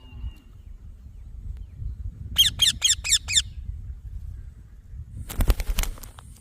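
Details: Green baby parrot letting out one brief run of five high chirps, followed by a burst of broadband scratching or rustling noise, with low rumble throughout.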